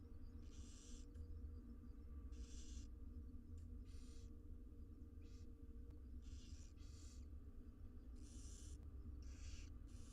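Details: Inside a research nest box, six wild barn owl chicks hiss loudly as they are fed, with about seven drawn-out snoring hisses at irregular intervals and a constant low background drone.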